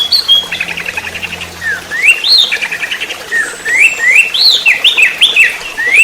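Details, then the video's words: Orange-headed thrush singing a rapid trotol-style song, used as a lure and tutor track: loud slurred whistles rising and falling between mid and high pitch, alternating with short buzzy trilled bursts, a faint low hum early on. "Pancingan Masteran Anis merah TROTOL"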